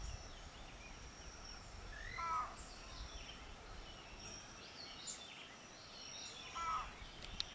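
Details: A Keel-billed Motmot at Rio Santiago, Honduras, gives two short, hoarse, nasal notes about four seconds apart, over a steady high insect hum and background hiss.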